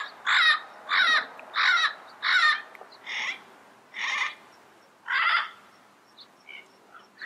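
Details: Wild yellow-headed parrot in its natural environment giving harsh, buzzy squawks with rich overtones, about seven in quick succession, the first four evenly spaced, then slower and softer, with faint chirps between.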